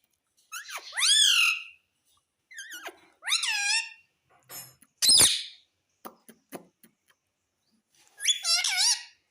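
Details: Pet parrot mimicking words like mummy and papa; sweeping squeaky syllables in separate bursts, a sharp broadband squawk, a few clicks, and a final wavering phrase.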